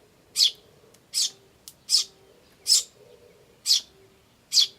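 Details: Eurasian tree sparrow adults and chicks, 10 May 2013 (chicks chirp "chi chi", adults "jyujyu" and "chun"): short, harsh, high chirps repeated about every 0.8 seconds, loud and even, over a low steady hum.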